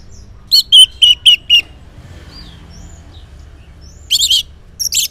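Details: Orange-headed thrush, ngeplong singing in the morning as a lure so silent males respond: a run of four or five loud, evenly spaced buzzy notes, a pause, then two brief harsh bursts.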